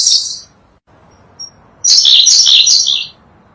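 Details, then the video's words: Sunda blue robin, a species endemic to Java and Sumatra, singing on a tutor recording for songbirds: a high squeaky burst, a short gap with one thin note, then a longer jumbled twittering phrase. "Burung Robin Biru / Berkecet biru, burung unik dengan kicauan merdu"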